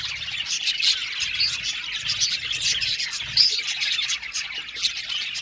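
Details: Flock of budgies in an aviary chirping, busy high twittering with several clear whistled chirps popping out, one louder squawk partway through.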